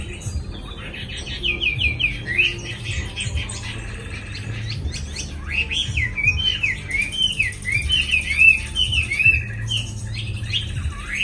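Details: Newly arrived captive Chinese hwamei in Hanoi, said to sing at length though not yet at peak form. It gives a rapid run of looping, slurred whistles, repeated about twice a second, with a constant low droning background.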